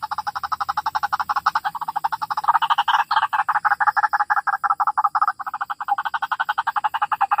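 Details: A white-breasted waterhen lure recording for bird trapping: long rapid chatter of gurgling croaks, pulsing several times per second, swelling louder in the middle before settling.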